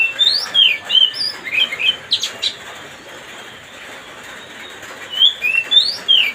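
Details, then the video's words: Oriental magpie-robin song played to provoke a rival: quick rising and falling whistled slurs and chirps in two bursts, separated by a near-silent stretch with faint background hiss. "mancing suara kacer biar emosi.."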